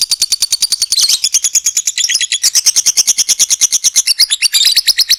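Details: A lovebird's long 'ngekek' trill, a lure for other lovebirds: shrill, rapid chattering notes repeated in a steady rhythm throughout, with some sharper squeaky accents near the start and end.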